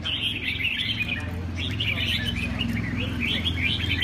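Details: Red-whiskered bulbul from Huế, a bird 99% through its moult, recorded 19 November: rapid, high, chirpy warbled phrases in short overlapping bursts, with a steady low hum underneath throughout.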